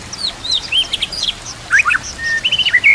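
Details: White-rumped shama (murai batu) song from a master recording for training captive birds: quick varied whistled notes, short upslurs and downslurs and brief chirps scattered at high pitch in two bursts, with a pause between.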